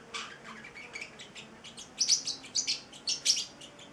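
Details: Eight-week-old male Celestial parrotlet kept as a pet gives soft chirping that builds into louder, sharp high chirps in quick pairs during the second half.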